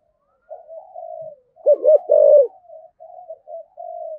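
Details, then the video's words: Spotted dove in the thổ voice style, cúc đinh calling coo: soft, distant-sounding drawn coos with one loud burst of three close, hollow hoots in the middle, then quieter trailing notes. "cu gáy giọng thổ, cu gay giong tho cuc dinh gay gọi"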